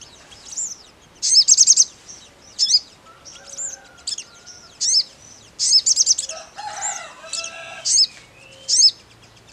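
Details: Crimson sunbird gives a series of high, sharp twittering chips and short bursts spaced about a second apart. A lower, harsher chatter from another bird is heard midway.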